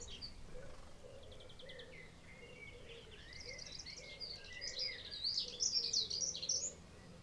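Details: A male Dunnock sitting in a tree in England on 20 May gives a quick, high, jangling warble that grows louder toward the end, with softer chirps from other birds and a low background hum.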